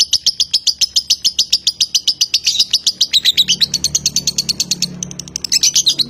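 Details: A competition-bred lovebird from Nganjuk in the long, non-stop "konslet" singing style delivers rapid, even high chirps at about four per second, running on without pause and shifting slightly in pitch midway.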